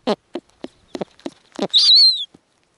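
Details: Several soft thumping knocks, then one loud, hoarse screech with a falling whistled tone, at a snowy owl nest where the female tears food into small pieces for her nestlings.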